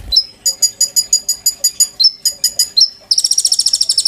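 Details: Caged oriental magpie-robin singing loudly, kept as a tutor bird for white-rumped shama in the 'sujud' style: rapid runs of sharp high chirps, a few rising whistles, then a fast buzzy trill at the end.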